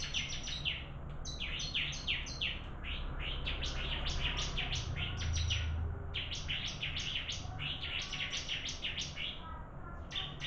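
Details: Bar-winged prinia competing in a singing contest, giving bursts of rapid, high, clipped notes in quick runs of several seconds separated by brief pauses, with a low rumbling hum underneath and faint voices.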